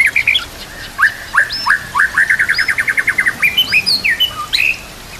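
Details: Tutor recording of white-rumped shama song: loud whistled opening notes, then a rapid even series of short clipped notes, ending in looping high whistles; steady faint background hiss.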